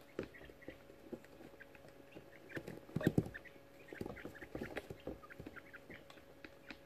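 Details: Young quail hatchlings, 18 days old, huddling and climbing over each other in a brooder box: soft scattered chittering peeps and short chirps amid shuffling and rustling, with a steady faint background hum.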